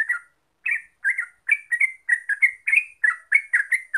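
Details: Yellow-vented bulbul, locally called trucuk, singing a rapid 'gacor ropel' lure song meant to prompt other birds to sing: short bubbly chirped notes near the same pitch, repeated in quick succession after a brief opening pause.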